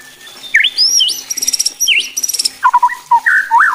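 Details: White-rumped shama singing to provoke other shamas: high looping whistles and buzzy rapid trills, then a lower run of quick repeated whistled notes.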